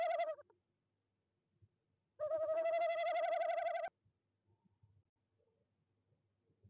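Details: Tawny owl visiting nest box 1 in De Mortel, Netherlands, on the evening of 26 January 2021 at 19:33, picked up by a livestream nest-box camera. A brief opening note, then a long, steady, quavering hoot of about two seconds, followed by faint knocks.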